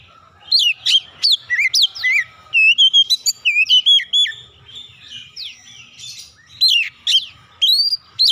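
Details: Oriental magpie-robin song used as a lure to make other magpie-robins respond: loud, varied whistled phrases with rising and falling sweeps and sharp slurred notes. Bursts come in quick runs with short pauses between them.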